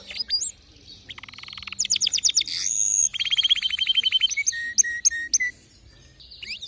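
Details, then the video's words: Canary singing varied distinctive notes: upward whistles, rapid repeated chips, a sustained high note and a rolling trill, followed by separate sharp slurred notes. "تغريد روووعة ونوطات مميزة canary"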